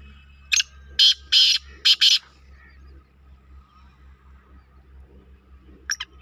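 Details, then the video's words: Black francolin calling a harsh, grating phrase of five broad raspy notes, a short one then longer paired ones, over about two seconds, followed by near quiet and a faint hum. "KALA TEETAR KI AWAZ"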